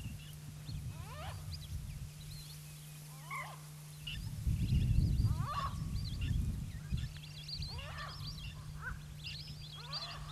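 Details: A flock of lesser whistling ducks on the Brahmaputra gives clear, thin, overlapping whistles, several each second, over a steady low engine-like hum and a burst of rumbling noise.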